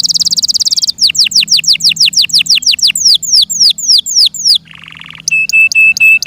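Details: Kept Yorkshire canary singing a high buzzy roll, then a run of sweeping falling whistles, a low rattling trill and rapid metallic repeated chips.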